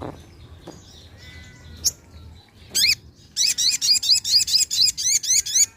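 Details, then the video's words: Sunda pin-striped tit-babbler used as a lure, calling a fast run of about a dozen sharp, high, repeated notes, each with arching stacked tones, after a few scattered clicks and faint background chatter. "Pancingan Burung Sogok Ontong ( Sogon )"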